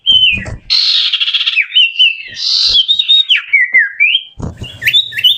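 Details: Common iora whistle variation: buzzy rasping bursts alternating with long, wandering whistled phrases that rise and fall, with knocking sounds at the start and end.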